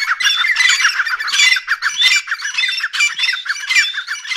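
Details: A dakhni grey francolin pair in full call, loud raspy notes in quick rhythmic bursts roughly every three quarters of a second, continuous overlapping squawking.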